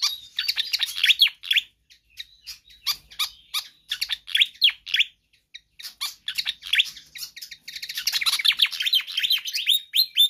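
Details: Pied fantail singing vigorously, a recording meant to tutor or lure other birds: dense bursts of squeaky, high chirps and down-slurred notes in quick runs, pausing briefly, then a busier chattering stretch near the end.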